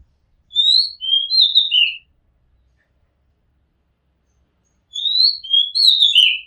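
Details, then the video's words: Oriental magpie-robin singing from a house rooftop: two clear whistled phrases, each about one and a half seconds, of sweet rising and falling notes with a few higher twitters, separated by a long silent gap; background otherwise quiet. "Oriental Magpie Robin Sound Long play | เสียงร้องนกกางเขนบ้าน"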